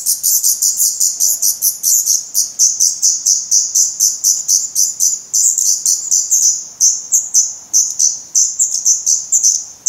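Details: Feathered Black Redstart chicks begging in their nest, Portugal, 17 May 2020; a steady stream of high, thin, shrill calls repeats about three times a second throughout.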